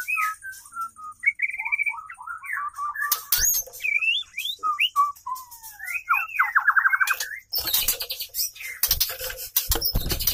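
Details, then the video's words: White-rumped shama female, singing to attract a male, delivers a run of varied whistled phrases and rapid warbles, followed by loud scratchy noise bursts near the end. "murai betina gacor"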